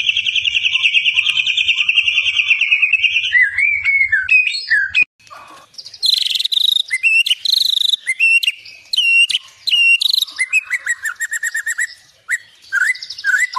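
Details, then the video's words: White-rumped shama singing a rich, varied song: a long rapid buzzy trill near the start, then a sudden pause and a sequence of sharp whistled notes, sweeps and fast chattering trills at differing pitches. "Beginilah kicauan MURAI BATU SUPER"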